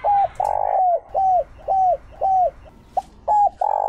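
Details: Spotted dove kept as a decoy to lure wild doves: a run of short arched coos, roughly one per second, with a couple of longer buzzier notes, over a low rumbling background.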